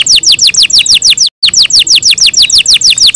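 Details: Home-kept canary singing in the morning: a steady, even string of quick descending whistled notes, about six a second, interrupted by a short silent break before resuming.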